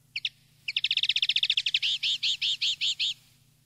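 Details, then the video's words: Common linnet country-style song used to train linnets: a fast, dry trill of about twenty high notes, slowing into six or seven buzzy, nasal notes, over a faint low hum. "NUEVO CD CAMPERO PARA EDUCAR PARDILLOS"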